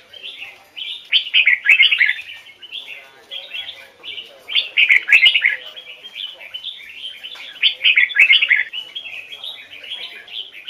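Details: Singing red-whiskered bulbul of Hoài Sơn forest stock, a trained bird with double notes, pouring out bright, bubbling whistled phrases in loud bursts roughly every three seconds, quieter twittering between them and faint clicks.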